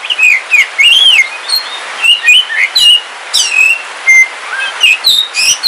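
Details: Oriental magpie-robin (Kalimantan black form), a caged home bird, singing while it rains: a rich run of sweet whistles, arched slurs and short chirps, almost continuous, with faint rain hiss behind.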